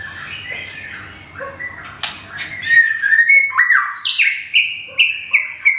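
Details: Thung Song white-rumped shama from Thailand, caged and finishing a moult. After a muffled start with one loud snap, clear descending whistles repeat in quick succession, each ending in a bright flourish.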